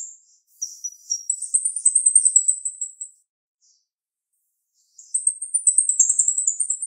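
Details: Sharp, shrill song of a female jalak rio-rio starling: long rapid strings of very high chattering notes, each lasting about two seconds, split by a quiet gap before the twittering resumes.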